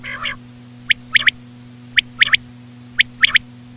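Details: Common quail: a short nasal buzz, then sharp high triple-note bursts that recur every second, against a low continuous hum.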